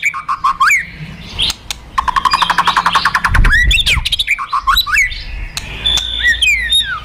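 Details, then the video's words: Fighter white-rumped shama, recorded to provoke rival shamas: dense varied song of rapid repeated clicks, rising and falling whistles and harsh squawks, with a loud low thump and background rumble. "Kretekan Dan Tembakan Murai Fighter Pancingan Emosi Murai Paling Efektif"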